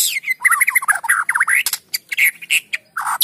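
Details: White-rumped shama song meant to prompt other shamas to sing; loud, continuous warbling of tumbling whistled and scratchy notes, ending with a few sharp separate calls.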